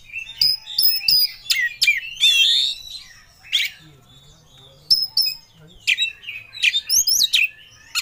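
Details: Caged Oriental magpie-robin singing full of emotion as if seeking a rival: rapid varied chirps, sharp clicks and slurred whistles mostly high-pitched, delivered in dense bursts with short pauses.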